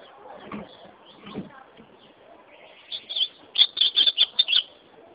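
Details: Ultramarine grosbeak singing: after a stretch of low background rumble, a short run of clear, high, sweet notes, each rapid and slightly buzzy, delivered in a quick phrase.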